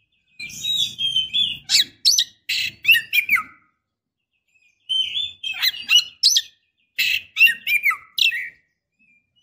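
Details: Female Oriental magpie-robin in breeding condition calling a male: two bursts of varied whistles and rasping chirps, each about three seconds, with a faint low rumble beneath the first.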